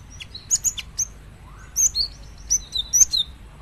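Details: Cinereous tit (gelatik batu) singing a busy run of high whistled notes and dry clicks. Several notes slur downward, and a short lower note is heard midway through.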